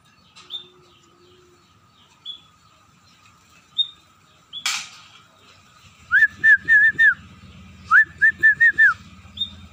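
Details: Emprit peking, the scaly-breasted munia, beginning to sing: scattered soft high notes and a sharp burst, then two quick runs of four or five rising whistled notes over low rumbling background.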